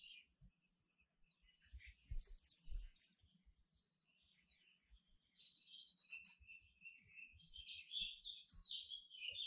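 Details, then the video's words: A canary sings rapid trills and chirps, with a very high sparkling burst early on, then a steady run of warbled phrases. Faint low knocks sound in the background. "Canary Singing"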